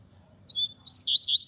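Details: Double-collared seedeater in its tui tui zel zel teaching song for young birds, with nature sounds: a brief loud fragment of high whistled notes sliding up and down after a short silence.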